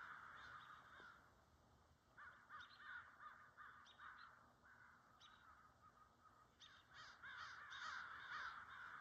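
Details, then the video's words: Several crows calling as they arrive for their meeting beside deer nibbling at a feeder, a rapid run of harsh, raspy caws in quick bursts, roughly two or three per second, with a louder cluster near the end. "The Crows Call"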